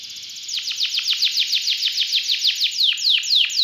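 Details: Canary in lively song with rich fill notes: a long, fast series of sharp downward-sweeping notes, roughly eight per second, growing louder toward the end.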